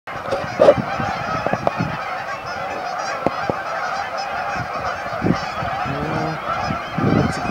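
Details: Canada geese gathered at a staging area on Amber Trails Lake, Winnipeg: a large flock's overlapping honks merge into a constant clamor, with a few louder nasal honks standing out near the end.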